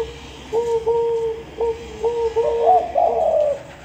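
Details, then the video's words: Dove singing a series of low, level hooting coos in short steady notes, the last few rising into a higher, rougher, wavering phrase, with a constant background hum. "DOVE SINGING"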